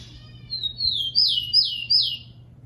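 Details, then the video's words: Captive tico-tico, or rufous-collared sparrow, used to train other birds to sing: a drawn-out high whistle rises into three bright, descending slurred phrases, with faint low background hum. "TICO TICO CANTANDO MUITO"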